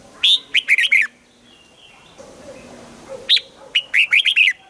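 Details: Red-whiskered bulbul trained for morning song in the double-note wild style: two lively phrases of bright, bouncing notes, four then six, with a quiet stretch of faint background noise between them.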